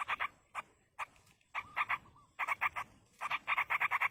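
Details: Parent yellow-vented bulbul feeding chicks in the wild; the young give short clusters of harsh, buzzy pulses that grow faster and denser toward the end, with a faint thin trill in between.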